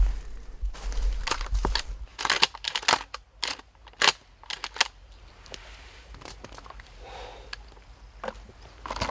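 Irregular crunching and crackling rustles, like movement through dry leaves in big woods, with no animal calls heard.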